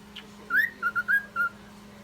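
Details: Cockatiel; mating call; courtship during breeding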